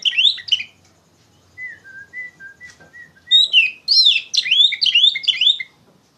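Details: Oriental magpie-robin (kacer) singing loud 'ngeplong gacor' lure song used to train young songbirds: bright slurred whistles and rapid chirps in bursts, a quieter run of short level whistles between louder phrases.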